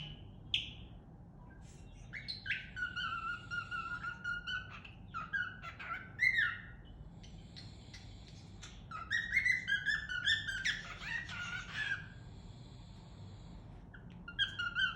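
A cockatiel sings a rambling string of whistled chirps and warbles with rising and falling notes.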